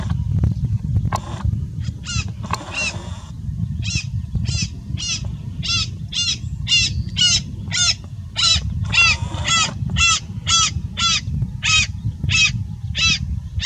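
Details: A pair of Coscoroba swans (Coscoroba coscoroba) at Chaco Lodge on 4 April 2018 give a fast run of nasal, trumpeting honks, nearly two a second, over a steady low rumble of wind.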